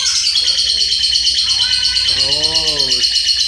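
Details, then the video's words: Lovebird giving a 'rem blong' style song: an unbroken stream of dense, high, squeaky chattering and rapid twittering throughout, with a brief lower, tonal, harmonic sound midway and faint low background hum. "LOVE BIRD JULEHA Rem BLONG"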